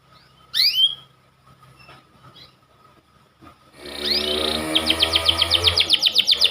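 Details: Panda canary, described as a white canary, in a training master recording meant to make young canaries sing readily. After a faint rising whistle and near silence, rapid pulsed trills and repeated downswept notes start at about four seconds, with a steady low hum.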